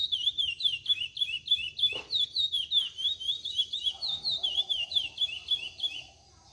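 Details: Young brown chestnut-bellied seed finch in cascatinha-style song, still developing its delivery: rapid looping whistled notes repeated in a fluent chain, fading near the end with a soft low hum and a brief thump.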